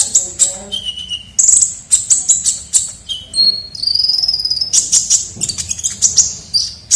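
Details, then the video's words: Lure call of a kolibri ninja sunbird: sharp high chirps at an irregular rapid pace, a lower whistled note, and a sustained thin rising trill midway. "pikat suara burung kolibri ninja gacor"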